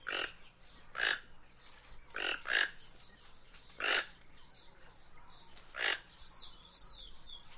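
Guianan toucanet giving six harsh, croaking grunts at irregular intervals, one to two seconds apart, with faint high chirps from insects or small birds behind.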